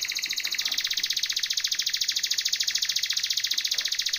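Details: Timbrado canary singing as a training song, holding one long, very even, fast buzzy trill pulsed about three to four times per second throughout, over faint low background hiss.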